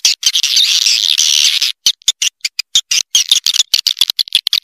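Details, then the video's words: Lure call for drawing in swiftlets, heard as a continuous high buzzy chatter for almost two seconds, then broken into quick choppy bursts separated by short silences. "Suara Panggil Walet"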